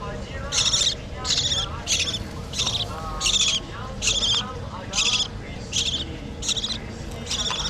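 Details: Hand-fed budgerigar chicks begging in a rapid, rhythmic run of about ten scratchy, high chirps, slightly more than one per second, with faint voices and soft low background noise.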